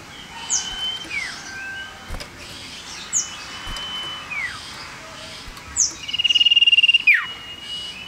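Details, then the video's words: Tame, lively male common iora, small yellow bird: long flat whistles each ending in a dropping slur, repeated about every two to three seconds, with high sharp chirps and a fast buzzy trill near the end. "Suara Sirtu Jantan !! Burung Sirtu Cipoh Sirdung Sirdum Jantan Terbaru"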